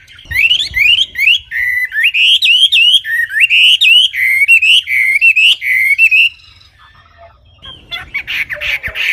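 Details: Wambi singing clearly: a fast run of sharp, rising whistled notes, each swooping upward and repeated over six seconds, then a brief pause and a rougher, buzzier phrase at the end.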